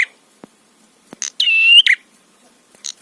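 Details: Prinia song used to provoke rival prinias: one full phrase, a rasp, then a bright, sustained, slightly rising tone with a buzzy end, with short buzzy fragments before and after.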